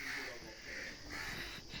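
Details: Several crows give harsh, hoarse caws in quick overlapping bursts, two or three a second, gathering in a tree and calling over a crow fallen into a tank, apparently hurt under the wing and unable to fly; faint hiss.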